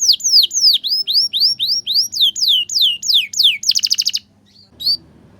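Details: Master song for young canaries to learn from: loud, ringing whistles, each dipping and rising, repeated quickly and evenly, then a dense buzzy trill, brief silence and one last chirp.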